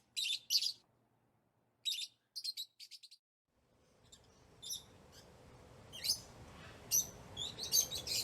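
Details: Lovebirds chirping in excitement: rasping high chirps and short stuttered runs, then a rising background hiss with more scattered chirps.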